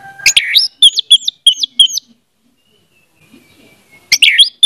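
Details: Orange-headed thrush, song used as a lure for a silent bird: a harsh opening note, then four quick repeated whistled phrases, a long quiet gap, and another loud scratchy phrase.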